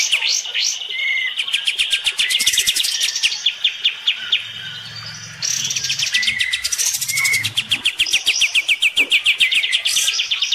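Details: Bathing olive-winged bulbul in a vocal fight with the bird next door: long harsh rattling runs, a few clear whistles, a brief lull mid-way, then a rapid series of sharp notes.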